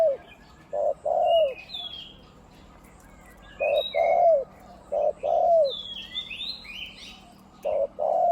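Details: Caged decoy spotted dove with a big voice, one-'kuk' type, used on the ground, on branches and at a trap enclosure, giving 'khu-ang' coos: low, throaty two-part coo bursts separated by pauses, while smaller birds chirp higher in the background.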